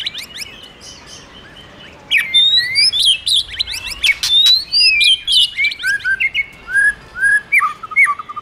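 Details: Stimulated by a female, a white-rumped shama starts after a quiet two seconds into a fast, varied run of high sweeping whistles and clicks, ending in lower looping whistled notes.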